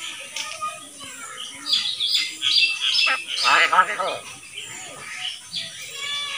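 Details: Talking common hill myna imitating speech, with words such as "open the door" among its repertoire: dense, speech-like harmonic syllables mixed with loud squawky bursts and high, rapid chirps throughout.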